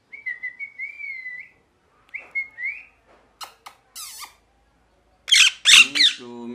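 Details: A parrot whistles a series of soft, wavering notes, adds a few clicks, then ends with three loud harsh squawks.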